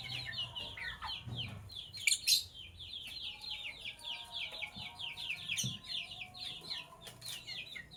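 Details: Morning chatter of lovebirds in sky blue opaline and cobalt colours: a steady, fast stream of bright, high chirps repeated several times a second, with a soft low hum and a couple of brief knocks.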